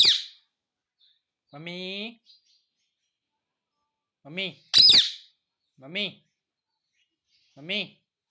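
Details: Indian ringneck parakeet talking and mimicking the words "mummy papa". A drawn-out harmonic utterance is followed by a sharp broadband screech, then three short, evenly spaced speech-like syllables about 1.7 seconds apart, with quiet between them.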